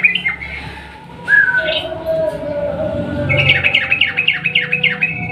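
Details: Sooty-headed bulbul in full song, a long rolling style used to coax a silent bulbul into singing: scattered bright chirps, then a fast run of about ten bouncing, downslurred notes near the end. A lower steady whistle sounds underneath.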